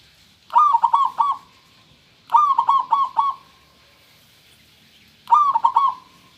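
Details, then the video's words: Clear-voiced local zebra dove repeating its cooing song three times, about two to three seconds apart. Each phrase opens on a bright note, then runs into four or five quick rhythmic coos, over a faint steady hiss. "perkutut lokal suara jernih"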